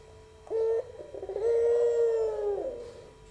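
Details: Melodious pelung song of a young albino puter dove: one brief introductory note, then a prolonged, steady, slightly rough coo that sags in pitch as it ends.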